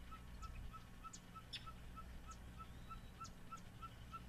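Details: Ferruginous Pygmy Owl (Glaucidium brasilianum ridgwayi) at Xcalak, Mexico, 8 Oct 2011, mobbed by passerines including American Yellow, Yellow-throated and Magnolia Warblers, gives a steady series of clear mid-pitched toots, about three per second, with small birds' sharp chips and low rumble.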